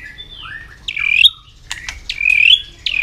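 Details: Fired-up White-rumped shama, tail flicking as it sings a fighting song; liquid slurred whistles, some swooping down and others climbing, broken by sharp clicks and brief pauses.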